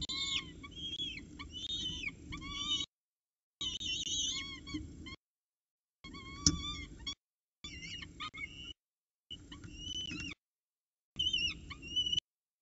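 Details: Peregrine falcons at their nest in Orange, CSU, 26 October 2019 about 7:07 am, the female feeding chicks with the male's breakfast delivery; loud, piercing, harmonic squeals and chattering cries in dense bursts separated by short silences.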